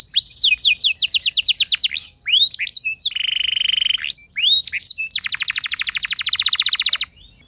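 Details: Canary song played so other canaries join in singing: quick trilled phrases, a steady buzzing roll, then a long, dense rapid trill before silence.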